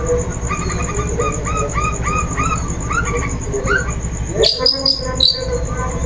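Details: Lure recording of a long-tailed shrike, meant to coax another bird into song. A string of lower, evenly repeated two-part notes is followed by a few sharp, high, falling whistles near the end. A steady high hum continues throughout.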